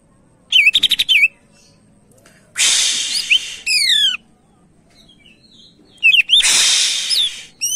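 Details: Energetic greater green leafbird song, used to draw other birds into singing: a fast stuttering trill opens, then broad rasping bursts mixed with sharp whistled upslurs and descending slides, with brief silences between phrases.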